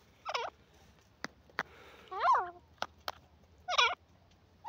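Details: Grey francolin, known locally as gora teetar, calling with repeated loud harsh notes sweeping down and up, in bursts separated by gaps, with sharp clicks and faint background noise.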